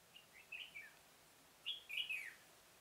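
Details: Red-whiskered bulbul singing as a trapping decoy in a pomelo orchard, October 2017: two short phrases of bright, rolling whistled notes, each sliding downward at the end, loud and close over faint background hiss.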